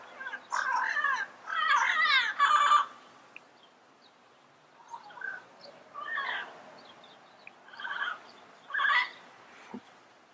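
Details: Yellow-headed parrots calling in the wild: a loud burst of harsh, raspy squawks in the first three seconds, then shorter scattered squawks and screeches spaced every second or two against quiet background.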